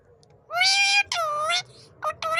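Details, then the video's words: Pet talking parrot repeating the word "mammy": drawn-out, nasal, voice-like syllables with rich overtones, two long ones followed by a shorter pair, in a quiet indoor room. "talking parrot mithu say#mammy mammy"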